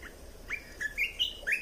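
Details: Red-whiskered bulbul, caged, delivering a training song for young birds and to excite other birds: five clear, slurred whistled notes in quick succession, stepping upward in pitch, with a soft background hiss.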